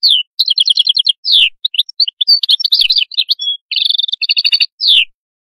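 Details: Canary singing steadily for five seconds: rapid doubled trills, falling whistled slurs, scattered sharp notes, a pure level note and fast repeated syllables, with no other sounds.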